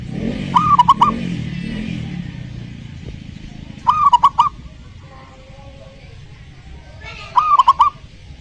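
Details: Zebra dove song used to provoke a lazy, silent dove to answer: three short phrases spaced about three seconds apart, each a soft rising coo tumbling into fast stuttering notes, over a low murmur.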